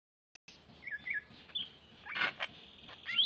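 A greater green leafbird sings a quick run of bright, varied whistles and chirps, with a few buzzy notes between the phrases.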